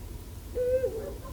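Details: A wild male Eurasian eagle-owl at Sihwa wetland, South Korea, in late autumn. As evening falls he perches on the highest point and gives a single deep, steady baritone hoot, proclaiming his territory and signalling to his mate.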